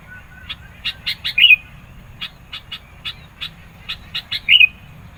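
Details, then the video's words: Sooty-headed bulbul song used to goad rivals and draw birds in. Two runs of quick clipped chips each end in a loud curling whistled note. "SUARA BURUNG KUTILANG GACOR NGOTOT. MENEKAN LAWAN, CEPAT RESPON.."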